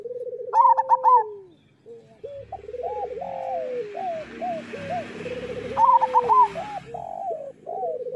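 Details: Local zebra dove song used as a master recording to coax lazy or molting caged doves into singing: bubbling, stuttering coos with quick trills, in overlapping phrases repeated about twice a second, low and mellow.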